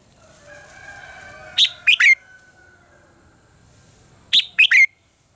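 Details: Red-whiskered bulbul fighting song for training birds to sing: two matching three-note phrases of sharp whistles ending in a slurred note, repeated about three seconds apart over faint tonal hum.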